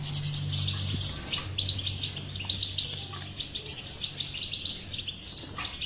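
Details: European goldfinch song to encourage a silent goldfinch to sing; opens with a high rattling burst, then rapid repeated twittering notes over a low hum.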